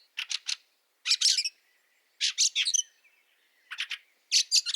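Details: Five groups of dry, scratchy chacks from a Fieldfare in snow at Liepāja, Latvia, March 2023, each group of two to four notes, with a faint thin tone between them.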